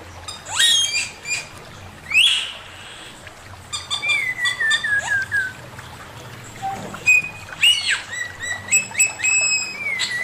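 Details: Male Chinese hwamei master song, loud varied whistles with sharp upward sweeps, a long falling whistle, and short bright phrases separated by pauses.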